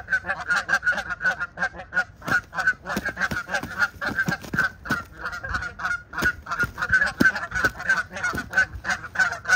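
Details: Canada geese during a gander fight, March 17, 2023: steady, rapid honking at roughly three calls a second, nasal and clipped, with many birds' calls overlapping throughout.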